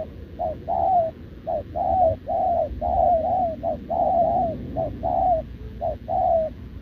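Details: Spotted dove, short-legged, caught wild and caged, cooing continuously with a decoy on 6 November 2024: a rapid, unbroken run of soft low coos, short and long notes alternating almost without pause.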